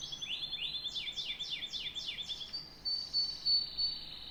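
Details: Canary song of several bold descending sweeps over a held whistle, ending in louder short chirps and a high steady tone.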